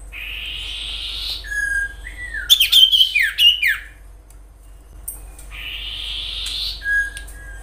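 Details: A Common iora (Aegithina tiphia) recorded in the wild gives a long, buzzy, rising whistle, then a drawn-out lower whistle and a quick burst of sharp chattering notes, before the buzzy whistle repeats.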